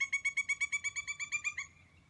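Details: A Pileated Woodpecker in the woods of Northern Virginia, mid-Atlantic region, gives a loud, ringing series of about fourteen rapid wuk notes on one pitch, monkey-like with a wild, jungle-like quality; a secluded bird heard from far away.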